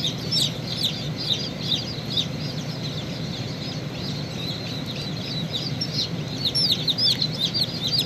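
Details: Many domestic chicks peep near a chick breaking out of the shell, thin falling notes tumbling over one another, some brighter and louder toward the end, with a constant low hum beneath.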